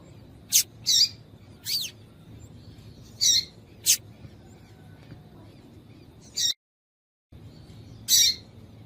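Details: Female double-collared seedeater chirps meant to stir a male into singing: a run of sharp chips and buzzy high notes, one slightly sweeping, at irregular gaps of about one second, broken by a brief silent cut.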